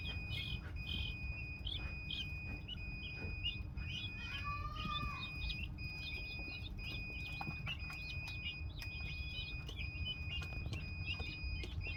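Guineafowl giving rapid, high, scratchy chirps over a steady low rumble.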